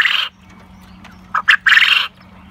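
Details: Crowing of a black coturnix quail with its companions: a raspy burst trails off, then after a pause come two short sharp notes and a longer buzzy, grating note.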